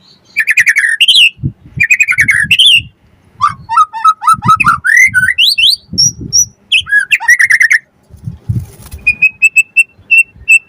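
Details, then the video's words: Long, varied white-rumped shama song meant to provoke rivals into singing and to tutor young birds: looping whistles, quick rising note runs, and an even series of sharp high chirps near the end. "Pancingan Murai Batu Langsung Nyaut Auto Bunyi Cpt Gacor Full Isian Buat Masteran Suara Burung Murai"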